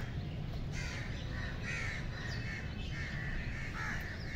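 Cranes give harsh, rolling croaks about once a second, several birds overlapping, over a heavy low rumble of wind or handling noise.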